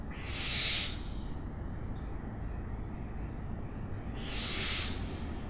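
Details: Owl producing two rasping, hissing screeches about four seconds apart, each under a second long, over a low steady rumble.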